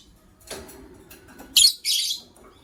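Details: Shrill grating chirps from a white lovebird couple in the morning: a faint rasp, then two loud, harsh high bursts in quick succession, the second longer and buzzy.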